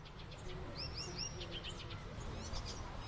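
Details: Icterine warbler song: brief, rapidly varied high chirps and short rising whistled slurs, several close together in quick succession, heard over a steady low rumbling background noise.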